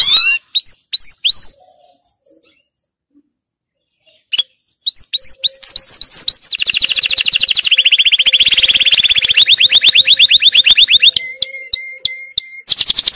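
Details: Canary delivering a powerful training song: spaced swooping chirps with pauses, then long, fast, rolling trills over a faint steady hum, ending in clipped repeated whistles.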